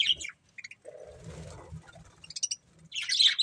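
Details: Budgerigars eating corn give short, high, scratchy chirp bursts at the start and again near the end, with a quieter stretch of soft low rustling between.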